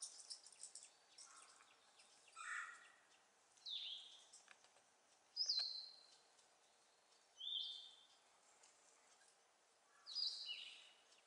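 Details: Sapsucker calling at home on 26 April 2014: a series of high, nasal, downslurred calls, each short and repeated roughly every two to three seconds. Nothing else is heard but faint background noise.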